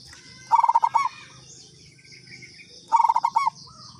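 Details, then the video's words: Local zebra dove (perkutut) lure call: two phrases, each a brisk stutter of round coos ending in a held note, about two and a half seconds apart, with a low background hum and faint high insect drone. "Pancingan Perkutut lokal katuranggan"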